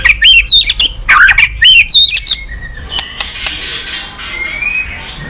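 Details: White-rumped shama singing many voices, a recording played to stimulate and train birds to sing: loud, rich whistled phrases with swoops and quick flourishes for two and a half seconds, then fading into faint distant twittering.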